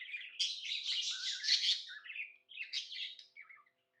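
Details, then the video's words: Indoor pet budgerigar, said to be happy, giving a loud burst of dense, raspy chattering warble, then a shorter twittering phrase and a few soft chirps trailing off into silence. "Happy budgie chirping sounds"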